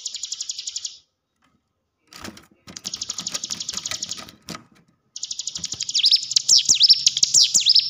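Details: Hill prinia played as training lure for caged birds: bursts of high, buzzy pulsed trill broken by silent gaps and clattering clicks, ending with louder zigzagging whistled notes rising and falling rapidly.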